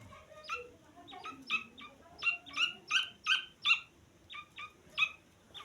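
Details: Grey francolin chick giving clear, loud high peeps in a rising series that swells mid-clip, then several spaced single chirps; quiet background.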